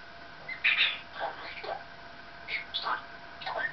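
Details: Indoor pet Maximilian's pionus, talking and singing with its owner, produces a run of varied scratchy, whistle-like syllables and squawks over several seconds, in a quiet room.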